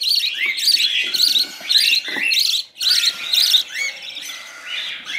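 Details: Budgerigar nestlings fed baby food from a bent coffee spoon beg noisily: scratchy, buzzing, high chirps in quick pulsed bursts, broken by a short pause midway.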